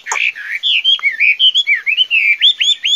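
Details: Chinese hwamei singing a rapid, varied run of loud, clear whistled phrases: rising and falling slurs in quick succession, ending in a series of short upswept notes, with no other sounds.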